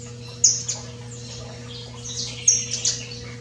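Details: Saffron finch free in the wild, in nature; two bursts of short, sharp, very high chirps about two seconds apart, with a steady low hum underneath.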